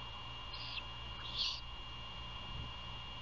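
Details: Great horned owl at a nest near Savannah, Georgia, filmed by nest camera at 1:38 AM on 27 February 2022 during a nighttime prey handover; two short hoarse, breathy screeches about a second apart over a steady electrical hum.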